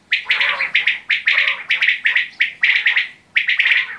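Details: Quail (batair) giving rapid runs of short, buzzy, chirped notes, three or four at a time, in quick rhythmic groups with brief gaps.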